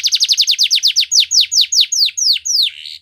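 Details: Canary song for training other canaries to sing: rapid, bright downward-sweeping notes that start about six per second and gradually slow, ending in a softer warble.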